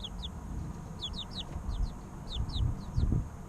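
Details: Baby chickens three weeks old giving clear, high, downward-slurred peeps in pairs and short runs, spaced through the stretch over a low hum and soft knocks.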